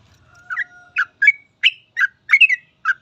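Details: Sooty-headed bulbul singing in gacor 'full ropel' style as master song for young birds: a short burst of clear, bubbly chirps, some doubled, spaced a fraction of a second apart, after a faint thin whistle and low hum.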